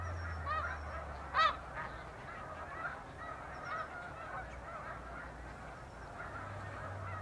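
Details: A large flock of snow geese on spring migration in Canada, 26 April 2015, leaving the water at sunrise to feed in fields: dense overlapping nasal honks from many birds at once, with a low steady hum underneath.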